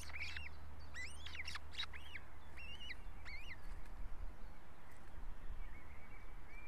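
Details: Ospreys quarrelling at the nest in Estonia: a quick volley of piercing, whistled chirps with upward-bending notes at the start, then a few spaced calls and a fainter thin whistle, with steady low hum.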